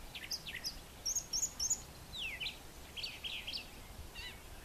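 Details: Brown thrasher (male) morning song on a farmyard with brushy nesting areas: varied, rich phrases of quick whistled slurs, chips and burry notes, some given in pairs, over soft outdoor background noise.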